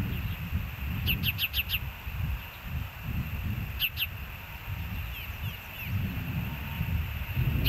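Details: Ospreys at the Hellgate nest on a live nest camera, 06/04/2024 at 13:10: a quick burst of five sharp, downslurred whistled chirps, then a pair, then fainter distant chirps, over steady low rumbling background noise.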